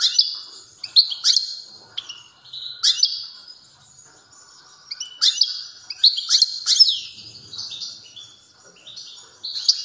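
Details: European goldfinch singing strongly: clusters of high twittering notes and bright sweeps in repeated bursts, with quieter gaps between phrases.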